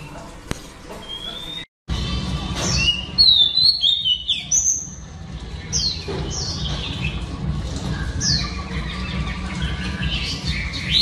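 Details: Female oriental magpie-robin singing to rouse males, after a brief break; a burst of sliding whistles and high notes in the middle, then softer scattered notes over a steady low rumbling background.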